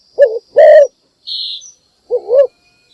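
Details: Spotted dove decoy giving its morning luring call: a wavering coo and a long rolling coo, a short high hissing buzz in the pause, then another lilting double coo.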